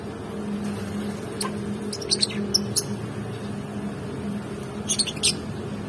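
Short, shrill lovebird chirps come in two quick bursts of squeaky notes over a steady low hum.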